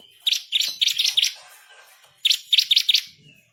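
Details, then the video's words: Bar-winged prinia tutor song, lively and persistent: two groups of four or five quick high, slightly buzzy chirps, separated by a one-second pause. "burung MASTERAN ciblek kristal gacor // ngamuk ngotot ngerol nembak pedas"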